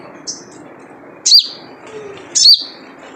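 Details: Wild sunbird (sogon) giving the characteristic 'jrejet cuit' call, used as a lure to get other birds singing: two sharp, very high chirps about a second apart, each a quick downward-sweeping note, over a faint low hum.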